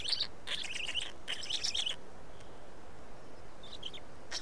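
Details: Black storks feeding at a nest in Estonia, 19 May 2019: three quick bursts of high, buzzy, warbling calls in the first two seconds, then near quiet with a faint late call.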